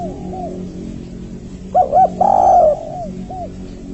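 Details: Three-note call of a spotted dove, known locally as tekukur or derkuku, used to draw in male or female doves for trapping. Faint repeated coos lead to two quick hollow notes and one long rich coo, with a low background hum.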